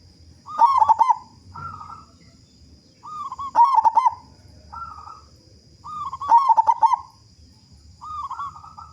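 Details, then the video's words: Local zebra dove singing actively, a strong-voiced lure to get other doves singing. Three phrases about three seconds apart, each a loud rapid pulsed coo burst followed by a softer, drawn-out coo. "Perkutut Lokal Gacor Suara Besar Pancingan Burung Perkutut Agar Cepat Bunyi"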